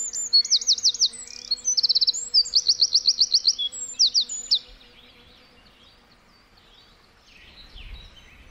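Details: Wren in a forest giving a high, rapid song of looped repeated notes and quick trills for about five seconds, then quiet with a faint steady hum and a low rumble.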